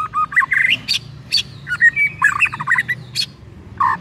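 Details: White-rumped shama song used to trigger another shama to sing: a loud, fast jumble of whistled, squawky and chattering notes, phrases tumbling over one another and ending on a harsh buzzy note.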